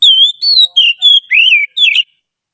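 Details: Song of a trained Oriental magpie-robin, kept as a tutor for other songbirds: six loud, pure whistled phrases, rising then falling, the later ones swooping and warbled, with no background sound.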